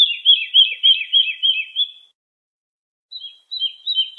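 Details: Lark singing, recorded to help young birds learn: a fast phrase of looping, warbled whistles for about two seconds, then silence, then a shorter run of bright trilled notes.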